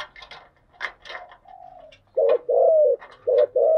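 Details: Spotted dove decoy calls to attract wild doves: rustling and clatter at first, then a soft drawn note, and finally a loud run of three hollow coos, the middle one longest.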